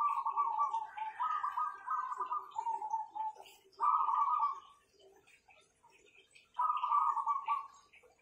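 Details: Strong-voiced zebra doves deliver several quick runs of rolling, staccato coos that step down in pitch, then two shorter trilled bursts after pauses, with a faint higher note layered briefly near the start.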